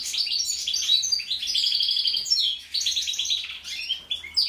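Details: Goldfinch labelled 'mixto' delivering continuous high twittering song, rapid chattering phrases with metallic tinkles and short buzzy rolls that barely pause over four and a half seconds.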